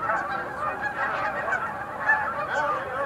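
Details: A dense chorus of sandhill cranes at the Montezuma National Wildlife Refuge Visitor Center pool, November 2021, with many overlapping rolling, trumpeting calls forming a continuous wall of sound.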